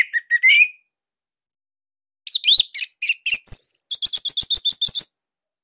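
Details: Song of a Bali orange-headed thrush, a loud, tight type used to coax other birds to sing: a short slurred phrase, a pause, then a fast run of rattling, chipping high notes.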